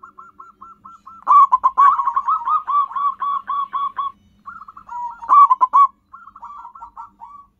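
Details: Natural-voiced local zebra dove used to lure wild birds, uttering soft rounded coos that break into rapid rolling trills, a louder burst, then more spaced coo notes.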